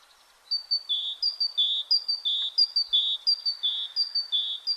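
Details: Great tit (Parus major) song: a bright, ringing two-note phrase, high then lower, repeated rapidly and evenly about three times a second, like 'teacher-teacher'.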